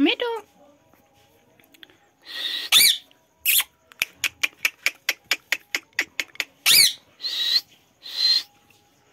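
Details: Ringneck parrot from an Indian village in talking training: a short wavering voice-like phrase, then harsh broadband screeches mixed with a rapid series of dry clicks.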